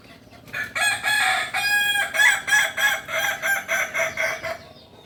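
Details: Native Kukuak Balenggek cock from Solok, West Sumatra, crowing: an opening held note, then a steady string of short stepped syllables repeated several times per second, with light background noise.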